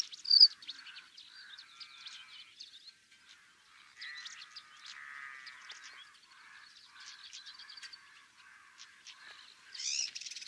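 Pale-crowned Cisticola giving thin, high, chippy notes and short buzzy phrases, irregularly repeated, with other small birds chirping in the background.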